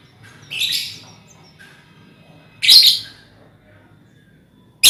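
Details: Lovebirds in a colony, used as a lure for trilling: two harsh high screeches about two seconds apart, with a faint chirp between and another call starting at the end.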